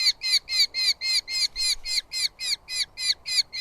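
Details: Eurasian hobby chicks, two in a southern UK nest, in a food fight as the male arrives with moths. Around thirteen loud, strident, repeated calls follow in quick regular succession.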